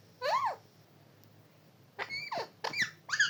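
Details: A pet parrot vocalizing indoors: a short squeaky rising-falling syllable, a pause, then three quick harmonic squawks with rising and falling whistled tones, voice-like in quality.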